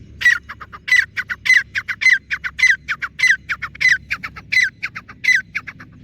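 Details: Grey francolin calling on open ground: loud, rhythmic series of harsh squawking notes, each strong note carrying a bright whistled tone and followed by shorter clipped notes, repeating about every half second throughout.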